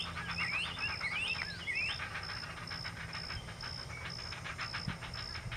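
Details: Begging of two great blue heron chicks during feeding at the nest: rapid repetitive quacking pulses, with some thin rising and falling chirps early on and a steady high intermittent tone behind.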